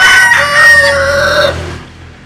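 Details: Jap Cuban bantam rooster sunbathing: the drawn-out final part of a crow, a strained, steady, nasal note held for about one and a half seconds before it fades into quiet.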